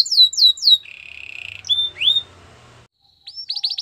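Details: Training song of a Belgian canary: a few sharp falling notes, a low steady roll, a rising slurred whistle, a brief pause, then a quick high trill.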